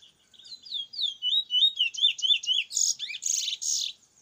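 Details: A bullfinch from Icacos sings a fast, high, twittering run of slurred whistles, about four or five notes a second, closing with harsher buzzy notes.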